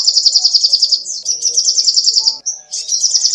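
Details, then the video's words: Sogoh ontong song meant for training songbirds: quick, high, buzzy trills of rapidly repeated notes in overlapping runs, one short clear whistled note between them, faint low background hum. "SUARA BURUNG SOGOH ONTONG GACOR"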